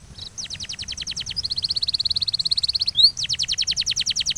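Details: Canary training song with long rolling phrases: a steady rapid trill of repeated notes, a brief rising whistle near the middle, then another fast even series of repeated high notes over faint low background noise.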